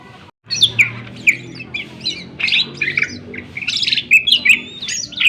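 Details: Greater green leafbird in busy, sharp song used to excite other birds: a jumble of harsh squawky notes, quick chirps and twisting whistles, dense and irregular throughout.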